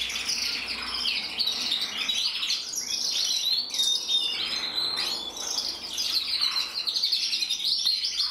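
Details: Canary cock, red-black intensive, hatched 2024 and split in mosaic, pouring out a dense high warble of rolling trills and chirps that rises and falls in loudness.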